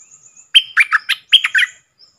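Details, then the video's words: Red-whiskered bulbul, a wild bird calling back at a caged decoy; two quick groups of bubbly whistled notes, three then three, over faint high thin calls from another bird. "เสียงนกกรงดอกแตงEp.56Birds soundsนกป่าห้าวจัดมา ริกใส่แล้วก็ไป"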